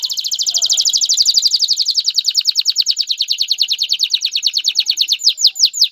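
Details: Canary male urging a female toward mating and nest building, one sustained, very fast even trill of high bright notes lasting several seconds, ending with a few slower downslurred notes.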